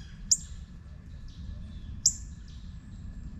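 A juvenile Northern Cardinal gives two sharp, high metallic chips about two seconds apart, with fainter notes between and a low background rumble.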